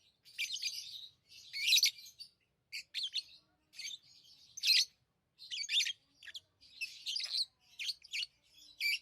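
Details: Pet lovebirds, tamed, chirping: bursts of harsh, buzzy high chirps in clusters of about half a second to a second, separated by short pauses, with softer twittering between; no other sounds.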